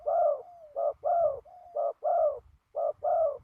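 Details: Spotted dove decoy calling on the ground in windy trapping conditions. Loud two-part coos repeat about once a second, each a short note and a rich descending purr, with soft thin whistled coos slipped between them.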